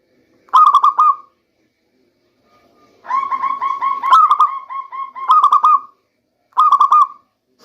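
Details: Local zebra dove singing, used as a lure in the rainy season: short stuttering cooing phrases of rapid pulses, with a longer run of repeated coos in the middle, at a low mellow pitch in a quiet setting.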